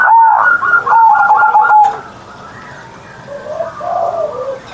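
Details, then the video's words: Caged zebra dove singing on a morning, perkutut ngerot style: a loud rapid trilling coo for about two seconds, then quiet, followed by soft low gliding notes. "Perkutut Manggung Gacor Suara Besar"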